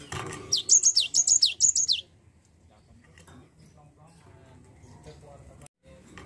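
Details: Java sparrow song used to coax a lazy bird into singing: a burst of about five shrill, high downslurred notes, then near silence with faint background sounds.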